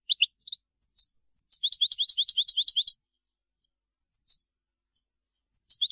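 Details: European goldfinch of the Widani song style, recorded as a training track for chicks and hybrids and to stimulate males: bright, tinkling high twittering phrases with a fast run of rapid trilled notes, then brief pauses.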